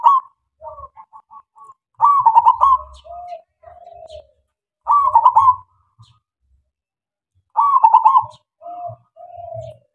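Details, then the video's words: Zebra dove of a local strain cooing as a lure for other doves: four bubbling coo phrases, several followed by softer, lower trailing notes, plus short separate coos between them in an otherwise quiet setting. "SUARA PERKUTUT LOKAL SUPER GACOR MEMANCING SEMUA KUTUT DIAM"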